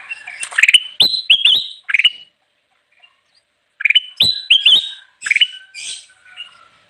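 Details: Ruby-throated bulbul (kutilang emas) singing vigorously, a recording used to lure wild birds: loud bursts of short, rising, hooked whistles around two phrases, separated by a silent pause of about two seconds.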